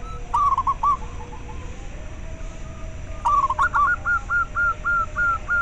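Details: Local zebra dove, used as a lure and to spur captive doves into calling: a short rolling trill of coos, a pause, then a longer trill leading into evenly spaced hooked whistled notes repeated about four times a second.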